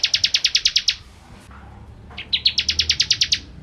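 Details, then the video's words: Bar-winged prinia, ciblek kristal style, singing keenly as tutor material for white-rumped shamas: a quick burst of high chips, a short break with a single click, then a second rapid series of sharp notes. "Masteran Ciblek Kristal Gacor"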